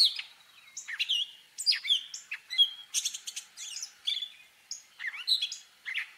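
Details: Gray catbird imitating other birds: a fast medley of squeaks, mewing slurs, buzzy bursts and clear whistled notes in short varied phrases, a few each second, against a silent backdrop.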